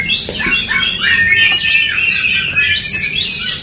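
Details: Oriental magpie-robins singing in an aggressive duel, a fighting bout meant to rouse emotion; dense, loud high whistles and harsh squawky notes rise and fall in quick overlapping phrases, about three elements per second, with a faint low hum beneath.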